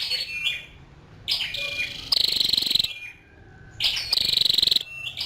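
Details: Calls of a female scarlet-backed flowerpecker: two long harsh, buzzing high bursts separated by a quiet gap, with faint sharp ticks and thin notes between them.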